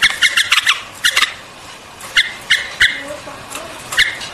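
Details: White-eared bulbul calling: clusters of sharp, clipped chirps repeated in quick groups, then spaced single notes, over a steady hissy background.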